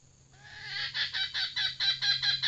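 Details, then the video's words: Female red junglefowl used as a decoy starts with a long, thin rising note, then a fast string of about nine grating cackles; a constant low hum sits in the background. "Ayam Hutan Pikat Betina"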